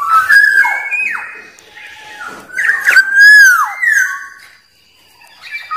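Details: Black-naped oriole, a wild bird, singing to provoke rivals: liquid fluty whistles slurring up and down, with a quieter dip mid-phrase, then a bright rounded whistle and a rising tail note.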